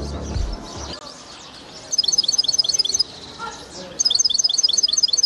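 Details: Caged hybrid European goldfinch giving short bursts of high, rapid twittering notes at about two and four seconds, separated by quiet gaps, after a low thump at the start.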